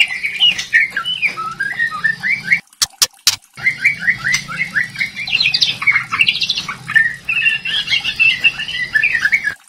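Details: Lure song of a young speckled trotol white-rumped shama, kretekan variation. Dense run of short squawky and whistled notes, shifting up and down in pitch, with a few sharp clicks early and no pause in the phrasing.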